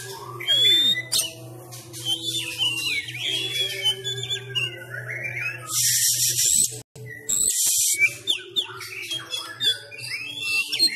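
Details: Sumatran Oriental magpie-robin (kacer sumatra) in fighting-style song, trained at home during Covid-19 restrictions: shrill whistles, rattles and rapid chirps, with bursts of hiss, a steady low hum and a brief drop-out.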